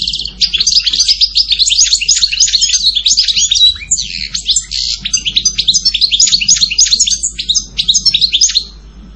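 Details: Long goldfinch song of rapid, jumbled twittering and tinkling chirps lasting nearly nine seconds, with a brief dip around four seconds, over a faint low hum.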